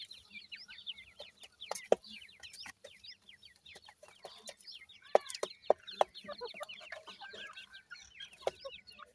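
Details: Grey francolin chicks calling: a dense, continuous chorus of thin, high, downslurred cheeps overlapping rapidly, with scattered sharp clicks and knocks in the background.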